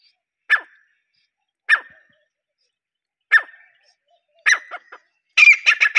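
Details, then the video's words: Desi teetar, a partridge, calling: sharp, harsh clipped notes spaced one to two seconds apart. They speed into a rapid burst of several quick, loud notes at the end, over an otherwise silent background. "تیتر کی آواز || desi teetar voice"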